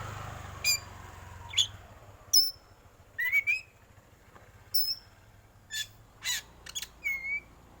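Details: Black Oriental magpie-robin with a 'batuk' competition song: sparse high whistles and sharp ticking notes spaced irregularly. Some notes are clear upslurred whistles and others are clipped chips, with a faint low hum beneath.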